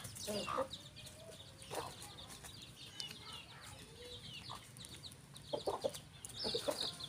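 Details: Farm rooster and hen clucking in short bursts at the start, middle and end, some notes slightly drawn out, with steady high chirping of small birds behind.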